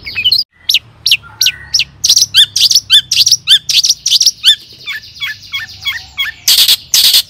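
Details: Long-tailed shrike in full song, used as a lure to provoke other shrikes into singing, in the "toet toet" style: sharp high chips, then a run of quick downslurred whistles and a series of hooked notes, ending in two harsh bursts.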